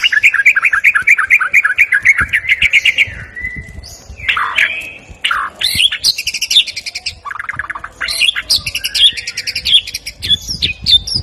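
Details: Medan-type white-rumped shama singing vigorously, song stocked with mimicked ciblek, cililin and jenggot kapas calls; fast repeated chips open into varied whistles, sweeping slurs and rattling bursts, very loud and continuous.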